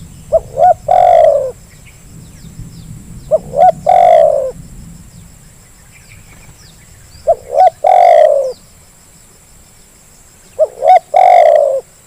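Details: Spotted dove cooing, played as a lure to get idle birds to respond: four repeated phrases roughly every three seconds, each with two quick clipped notes and a long, harsh, descending coo; faint low rumble early on.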